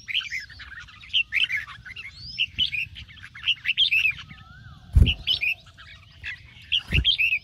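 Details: Morning singing of a red-whiskered bulbul, a 'ché' training track: cheerful chattering phrases rising and falling, a few drawn-out downslurred whistles, and two loud low thuds toward the end.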